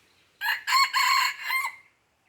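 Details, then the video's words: Aceh junglefowl crowing, 5 January 2020: a clear four-part phrase of rough, harmonically rich bursts, the last syllable trailing off into a thin fading tone, over a quiet background. "Ayam Hutan Aceh"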